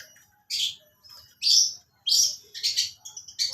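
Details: Long-tailed shrike giving lovebird-style mimicry: a few loud, shrill, high-pitched chirps and squeaky notes at irregular intervals, near-clean with little background noise.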